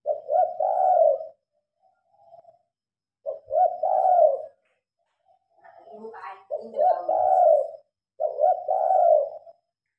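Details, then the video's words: Spotted dove calling at night while the lights are on, recorded on a phone; repeated cooing phrases, each a short note then a longer rolling coo, four phrases about two seconds apart with quieter soft coos between. "Terkukur manggung malam hari"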